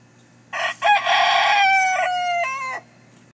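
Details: Rooster, a Red Star and Rhode Island Red mix, crowing while hens scratch for food; one loud drawn-out cock-a-doodle-doo with a stuttered start and a long falling final note, low hum behind.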